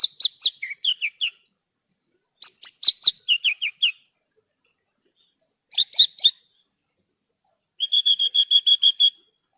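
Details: Horsfield's bush lark (branjangan) masteran song: several short phrases of high chirps and downslurs separated by pauses, ending in a steady, even run of rapid repeated notes.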